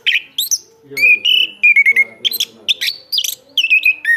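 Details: Anis kembang, or chestnut-capped thrush, singing strong, clear whistles, some held level and some trilled, broken up by high squeaky notes and quick chattering clicks.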